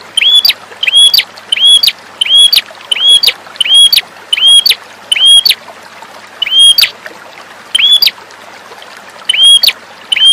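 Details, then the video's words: Red-headed prinia (perenjak kepala merah) repeats loud, sharp, high notes in quick bursts, roughly one every second, with a soft hiss of background noise. "Masteran perenjak merah untuk terapi burung malas bunyi"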